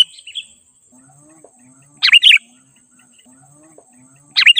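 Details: Sooty-headed bulbul singing vigorously, a recording meant to call in wild bulbuls: two short bursts of three rich, slurred chirping notes about two seconds apart, with soft low murmurs and a constant thin high whine between them.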